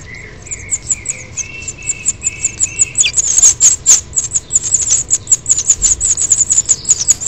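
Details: House finch nestlings, nearly as big as their parents and being fed at the nest on 10 June 2007, beg with very high, thin cheeps growing into a dense, excited chorus, after lower sustained whistled notes.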